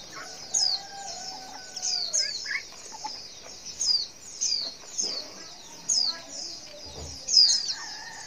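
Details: Calling female white-eye, a sound meant to draw a response from males; a steady run of sharp, high, descending chirps, roughly one every second, with faint lower notes underneath.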